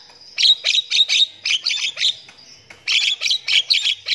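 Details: Javan myna singing in the morning, used as a lure song to get other mynas singing: a harsh, scratchy chatter of rapid notes, about three per second, in two bursts split by a brief pause.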